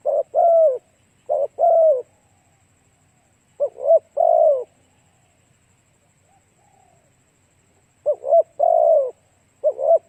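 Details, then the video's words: Spotted dove cooing to attract other doves: clusters of quick short coos leading into longer falling hoarse notes, separated by pauses of a few seconds with a faint soft sound between. "Cu gáy kích mồi tập bổi hiệu quả nhanh"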